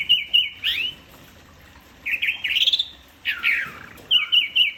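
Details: Orange-headed thrush (anis merah) singing in the style Indonesian bird keepers call "teler": bursts of loud, rich whistled and warbled phrases, some rising and some falling, separated by brief pauses, with quick repeated notes at the start and end.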